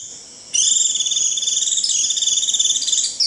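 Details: Japanese white-eye gives a "rít" call used to call the flock. It is a continuous, very high, thin trill of rapid pulses lasting nearly three seconds. The trill shifts slightly in pitch midway and ends with a brief downward slur.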